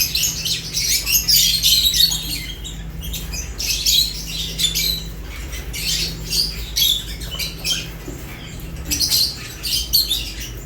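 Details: Several lovebirds feeding, giving a busy stream of sharp, high-pitched chirps and squeaks in clustered bursts with brief pauses, a faint low hum running underneath.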